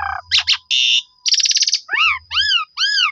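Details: Lure recording of a Black-collared starling: low nasal notes, quick twin upswept chirps, two buzzy rattling bursts, then three loud arched whistles about every third of a second.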